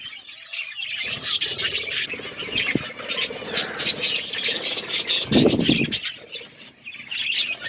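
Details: Several budgies chirp while eating seeds: dense, scratchy high chatter with quick warbled notes and squawks, almost constant, with short broadband crackles and a louder burst near the end.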